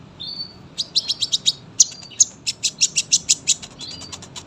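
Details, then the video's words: Tame sunbird singing long, a tutor recording for young birds: a thin whistle, then a rapid, evenly spaced series of high sharp chips, about five per second, running to the end. "KOLIBRI GACOR PANJANG SUARA RAPET"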